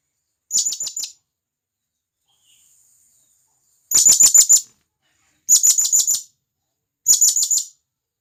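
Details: Wild blue-crowned hanging parrot summoning companions from the forest: four bursts of rapid, thin, high-pitched squeaks, the first softer, the last three coming about every one and a half seconds.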